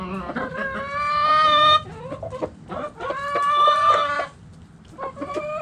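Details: Backyard chickens in a coop, hens and roosters together; long harmonic crows with steady stacked tones rise and hold, two drawn-out crows separated by short clucks, followed by a further broken call.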